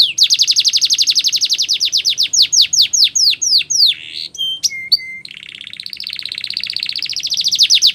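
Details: Canary singing a training song: a long rapid trill of downslurred notes that gradually slows, then a few flat whistled tones, closing with a soft quick rattle.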